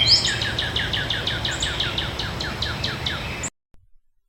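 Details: Northern Cardinal song in Virginia or the Carolinas: a rapid series of about fifteen clear, sliding, upward-whistled notes, roughly four per second, over a faint outdoor hiss.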